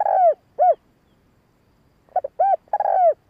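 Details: Spotted dove coos intended to excite and draw in males: a drawn-out descending coo and a short arched one, silence, then a group of three coos, the last long and falling.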